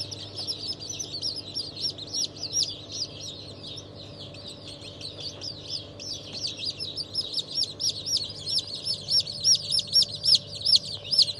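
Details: Newly hatched chicks of several breeds from a 27 March 2023 hatch. Many high, downslurred peeps overlap and grow louder and more rhythmic toward the end, over a faint low hum.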